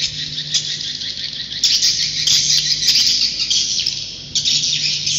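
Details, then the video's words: Swiftlets giving roosting calls as a thick wash of high, rapid twittering from many birds. The sound swells sharply near 1.6 and 4.4 seconds, with a soft electrical hum underneath. "Suara Inap Walet"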